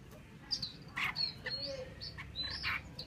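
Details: Female Chinese hwamei from Vietnam giving short chirps and brief slurred notes, scattered through the clip and some rising or falling in pitch, over a low steady background hum.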